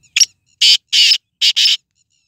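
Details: Sindhi nasal strain of Black francolin (kala tetar) giving one grating phrase: a brief clipped opening note followed by four loud, raspy, buzzing syllables in quick succession, the final pair nearly joined; quiet background.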